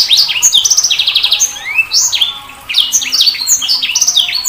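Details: Sanger bird delivering a continuous high-pitched warble of chirps, short buzzy trills and rising whistled slides, with a brief lull midway before the bright chatter returns.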